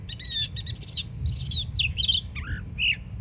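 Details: Young yearling Northern mockingbird singing in Florida: a varied run of whistled, slurred phrases, some repeated two or three times, rising and falling, ending with a lower dipping note and a buzzy upslurred phrase; low background rumble.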